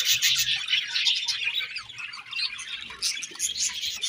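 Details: Many budgerigars chirp at once, a fast, uneven stream of bright twitters and scratchy squeaks, roughly two or three notes a second, with louder bursts near the start and end.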